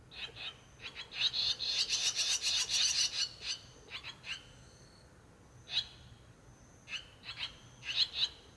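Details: Swallow chicks, six of them, in a nest by a rural house entrance on the 18th day after hatching. A fast, dense burst of scratchy chirping builds over two seconds, then thins to scattered single chirps.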